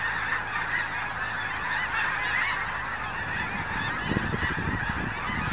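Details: Thousands of geese passing during a mass migration near Crestline, Kansas, in January 2011 at an old cemetery, their honks merging into an unbroken roar of calls, with gusts of wind buffeting in the second half.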